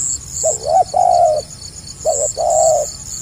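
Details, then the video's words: Two close coo phrases from a spotted dove in stuttering 'gagap rapat selang nguku' style, each a wobbling short note then a sustained mellow coo, with soft high chirps behind. "SUARA BURUNG TEKUKUR GAGAP RAPAT SELANG NGUKU"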